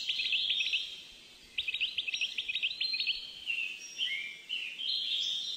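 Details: A European goldfinch (Carduelis carduelis), a captive male hatched 10 June 2013 of Moroccan father and Algerian mother, sings a rapid, tinkling run of high, liquid twitters and buzzy trills, with a steady background hiss.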